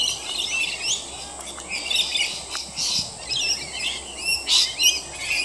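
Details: Rainbow lorikeets, a group bathing in roof gutters, chatter continuously with shrill, rapid twittering and screeching notes, overlapping calls rising and falling in quick succession, a few sharper squawks standing out.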